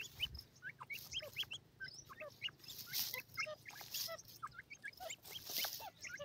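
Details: Several white grey francolin chicks, captive, busy with their feed: high, brief peeping notes that rise quickly, overlapping in a continuous chatter, with faint hiss and light tapping.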